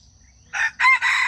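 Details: Crowing of a wild junglefowl, used to lure wild chickens into traps, from 31 July 2026. Three harsh, rasping syllables, the second brief with a slight rise and the third held longer, over a near-silent background.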